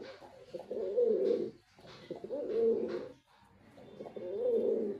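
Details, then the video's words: A white male pigeon gives three deep, throaty rolling coos, each about a second long and spaced roughly every one and a half seconds, in a small enclosed space. "Pigeon🕊️ Sound Effect 🔊 || Male Pigeon🕊️ Super Performance👍"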